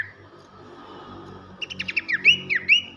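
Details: Abbott's babbler in loud 'nyiul' masteran song. A low hum and murmur of background noise fills the first half, then a burst of rapid clipped notes leads into two bright, looping whistles.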